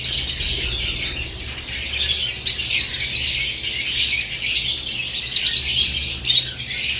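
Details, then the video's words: Several lovebirds in their cage in the morning produce a continuous stream of piercing, rapid chirps and squeaks, overlapping throughout, with a quiet low-pitched hum in the background. "Morning Lovebirds Cage Moments | Natural ChirpingSounds"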